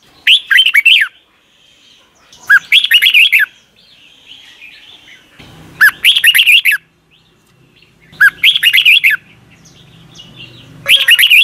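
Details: Red-whiskered bulbul singing in Thailand, a recording used as a morning lesson for young caged birds: five loud warbled phrases of about one second each, with a faint low hum and soft chirps between them.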